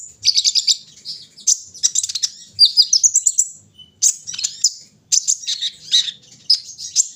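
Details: Morning dew-airing of a kolibri ninja sunbird, giving high, energetic song phrases of clustered sharp chips, buzzy trills and thin whistles, each burst lasting about a second and repeated after brief silences.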